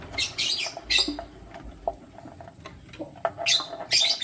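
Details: Lutino lovebirds, one male choosing between two females, chirping indoors: harsh, shrill broadband chatter in quick clustered bursts, a quieter middle stretch of soft clicks and rustling, then renewed rapid screechy chirps near the end.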